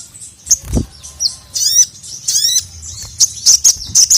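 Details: Sogon, the crimson sunbird, calling the male as training material for a reluctant singer. High slurred, descending twitters are mixed with scattered sharp chirps, with a soft thump early on.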